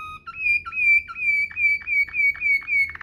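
Waterslager canary in a high, drawn-out whistled roll that shifts into a string of bubbling, water-like gurgles, with a few lower whistled notes at the start.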